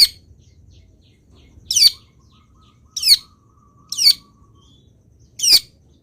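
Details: Long-tailed shrike recorded as a master for teaching other birds to sing: four sharp, high, scratchy downslurred notes spaced a second or more apart, with a faint steady hum in the background.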